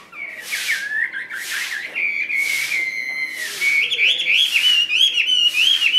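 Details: Caged Chinese hwamei in a hand-carried cage: after a few rushing noise bursts, a clear sustained whistle holds steady, then breaks into bright wavering warbles.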